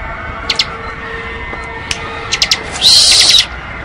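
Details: Bar-winged prinia in ngebren style: scattered short high chips, then a dense buzzy trill lasting about half a second near the end, over a steady low hiss.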